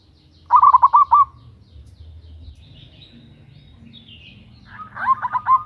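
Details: Zebra dove, local Indonesian type, female calling male, loud lure call: a quick run of rolling coos, a quiet gap with faint distant chirps, then a second burst of coos.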